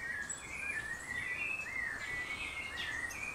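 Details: Ecuadorian Thrush near Mindo, Ecuador: a continuous run of clear, slurred whistled phrases rising and falling in a warbling stream, with faint high chirps of other birds and steady insect hiss behind.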